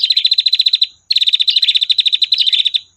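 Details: Female prinia trilling for a tutor recording: a quick string of about fifteen crisp high notes, a brief break, then a longer, slightly uneven run of rapid high notes.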